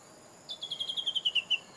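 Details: Japanese bush warbler hidden from view, giving a rapid series of about ten sharp, repeated notes that start high, drift gradually lower and grow louder toward the end.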